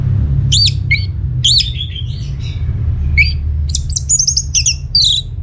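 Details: Orange-headed thrush song played as a lure to get other birds to answer: loud rising and falling whistled notes and quick buzzy chips in short bursts, over a steady low rumble.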